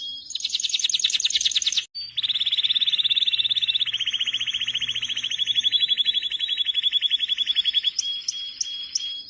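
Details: Canary singing a long, loud, high rolling trill: a brief buzzy opening phrase, a short break, then a steady rapid trill of fine repeated notes held for about six seconds, ending in sharper clipped notes.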